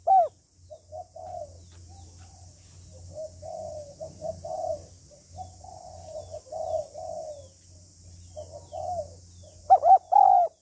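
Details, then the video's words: Female spotted dove calling to stimulate a male. Soft, low, mid-pitched murmuring coos run through most of the clip over a steady low hum, ending with a loud burst of arched coos. "Tiếng Cu Gáy Giọng Hạp BổI ĐỦ BÀI [ GÁY GỌI,THÚC,GÙ ]"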